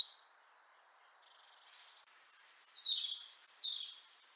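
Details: European robin (Erithacus rubecula) in Liepāja, Latvia, in January 2023, singing a brief, high, thin phrase: soft wavering notes build to a quick burst of bright, tumbling twitters and trills over a faint background hiss.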